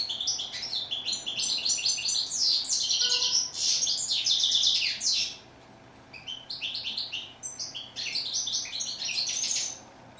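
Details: Goldfinch, chardonneret in French, delivering long bursts of hurried, tinkling twitters and buzzy trills, the first lasting about five seconds, then a quiet gap and a second shorter burst.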